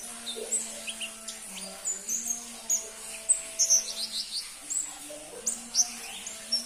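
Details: Crimson-breasted flowerpecker, an uncommon bird among song hobbyists, producing rapid thin high chirps in short loose bursts, with low droning tones and other faint sounds underneath.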